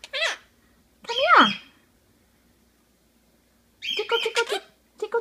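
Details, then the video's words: Pet Quaker parakeet talking indoors: short squawky, speech-like phrases with harmonic, sliding syllables, a long rising-falling utterance near the start, then a burst of rapid chattering notes and a brief final phrase. "Baby the Quaker talking"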